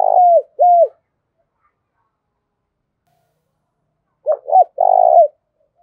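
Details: Lure spotted dove cooing to attract wild doves: two short drooping coos, a pause of about three seconds, then a few quick clipped notes running into a longer steady coo. No other sounds.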